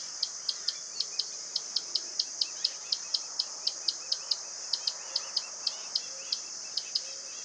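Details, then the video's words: Common tody-flycatcher (Todirostrum cinereum) gives a steady series of short, dry, high ticking notes, about four per second, over a continuous high insect-like hiss; Itatiba, São Paulo, Brazil, 4 March 2018, 09:00. "Canto do ferreirinho-relógio"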